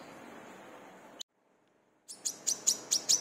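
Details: Brown-throated sunbird, known locally as wiceh, kolibri kelapa or manggar, singing briskly as a lure to train other birds. Steady background hiss gives way to a pause, then a rapid run of sharp, high chirps, about six in one second.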